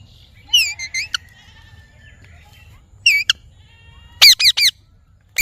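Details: Parrot uttering clusters of short, ringing, downward-bending squawks with clear harmonics, separated by brief gaps, with faint softer chatter between bursts.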